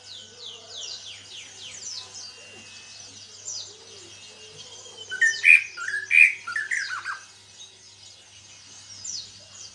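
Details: Caged greater green leafbird, newly singing after recovering from a heavy moult: many faint high chirps in the background, then a short burst of loud whistled and slurred notes midway before fading back to distant chirping.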